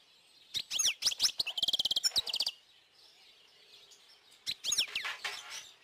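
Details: A European goldfinch sings bright, tinkling twitters with quick rattled trills in between.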